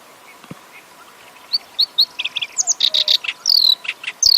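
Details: Black-browed reed warbler singing after a quiet start: scattered high chips, then bursts of harsh chattering notes and thin descending whistles, over steady low background hiss.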